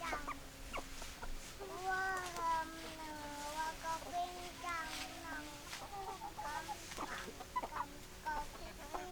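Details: Hens clucking and cackling, drawn-out harmonic wavering calls overlapping with short repeated clucks, several birds at once, faint voices behind.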